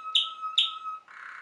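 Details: Waterslager canary, also known as Malinois canary, in song: a sustained low whistled tone underlying two sharp bright chirps, then a shift to a rougher, broader warbling note.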